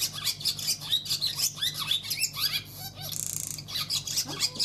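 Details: Male barn swallow wintering in a cold region, singing on 7 February 2020 to invite a female to the nest: rapid high twittering chatter of varied chirps, broken by a dense, buzzy rattle around the middle, then more twittering.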